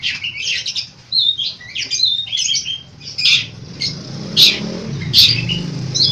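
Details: Long-tailed shrike pouring out varied mimicked phrases: short whistles and chirps, then sharp high clicks at intervals, over a steady low rumble of traffic.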